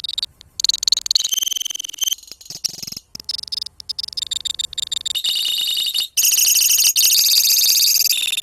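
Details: Colony of lovebirds used to set other birds into long 'ngekek' song: dense, high, rapid buzzy trills and chatter, quieter and broken at first, then loud continuous trilling from about five seconds on, with brief gaps.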